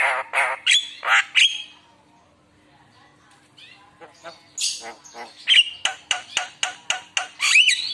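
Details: Javan myna lure song meant to prompt other mynas to sing. Loud harsh squawky notes repeat rapidly, then a quiet pause with soft murmurs, then a fast series of sharp clipped notes ending in a rising whistle.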